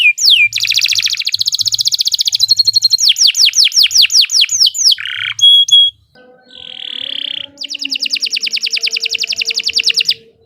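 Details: Canary master song for training other birds: long fast rolling trills of high chirps, rapid descending sweeps repeated in series, a brief pure whistle, and a pause with a low hum before another buzzy trill resumes.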